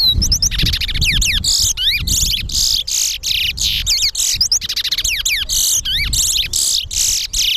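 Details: Captive towa towas compete in a bird race at the Lamaha & Vlissengen Road bird ground while each song is tallied. Continuous, fast, high whistled trills and swooping notes repeat almost without a break. Faint music and people underneath.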